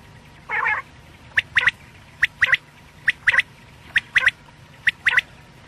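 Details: Quail morning calling used as a lure: a single harsh burst, then crisp sharp notes in a one-then-two pattern, each group repeated about once a second, over a steady low hum.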